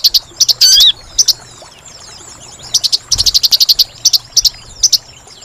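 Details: Sunbird (sogon) lure for trapping birds: a brief swept whistle, then a pause and a long rapid series of piercing high ticks in uneven bursts.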